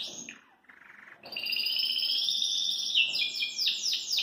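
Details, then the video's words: Song of a caged Belgian canary: a falling slur and short buzzy phrase lead into a sustained, even rolling trill, ending in a rapid series of repeated sweeping notes. "Canário Belga Dá Um Super Show de Canto"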